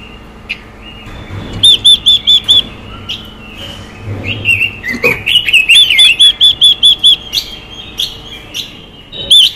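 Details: Female Chinese hwamei calling to fire up male birds: several runs of clear repeated whistles mixed with rising slurred and scratchy notes, the pattern building into long, rapid whistle series.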